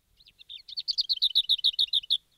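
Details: A Lesser Whitethroat, a UK summer warbler singing from deep in thick vegetation, gives a brief, soft warble that breaks into a fast, dry rattle of a dozen or so high notes, all in just over two seconds.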